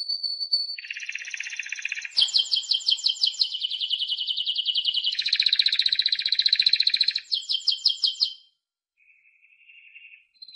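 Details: Timbrado canary song of linked rolling trills: a soft lower roll, then loud, fast, bright trills changing pitch between sections, ending in quiet, softer trilled notes.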